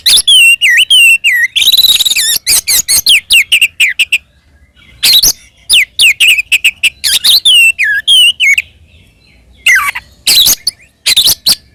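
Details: Oriental magpie-robin (kacer) delivering a sustained fighting song to provoke rivals: long stream of rapid, varied whistled and scratchy notes with a buzzy rattle, broken by a few short silences.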